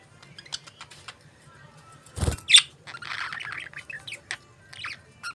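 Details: Pet budgerigars chirping: scattered short, sharp chirps, a brief warbling chatter midway and a sudden muffled thump.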